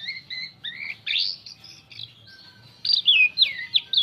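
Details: Asian pied starling singing a varied lure song meant to draw other birds: paired whistled notes, then swooping slurs and quick sharp whistled phrases that grow louder toward the end.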